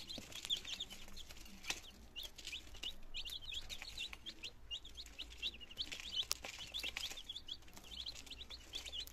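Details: Nineteen healthy chicken chicks on their second day, starting to try eating and drinking, Germany, 17 September 2022; a dense chorus of high, short peeps, many overlapping, some falling in pitch, with faint low background hum.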